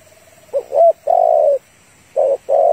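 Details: Female spotted dove calling to a male, kept as a trap lure: a faint trill, a two-part note and a long coo, then a short coo and another long coo, husky and low.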